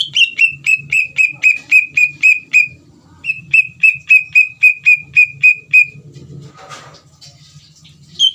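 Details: Greater green leafbird singing to provoke another leafbird into answering: ten rapid ringing whistles, a brief pause, then eight more at the same pitch, with a steady low hum in the background.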